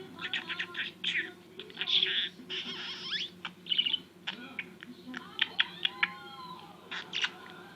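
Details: Pet budgerigar talking at home, said to imitate coughing and sniffing and the Turkish phrases "cici toy" and "küçük oğlum"; scratchy, buzzy chatter in dense bursts with brief squeaks and a low background hum.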